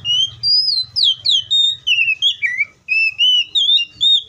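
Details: Oriental magpie-robin in the wild delivering a steady stream of sweet whistled notes, about a dozen sliding phrases with tiny gaps, some dropping in pitch, over a soft low hum.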